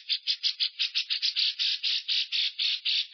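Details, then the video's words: Lovebird ngekek, a prolonged trill to spur birds of its kind to sing: coarse, rasping bursts at a slower, somewhat uneven pace, about three a second, with some notes running together. "PANCINGAN LOVE BIRD NGEKEK DURASI NAPAS PANJANG"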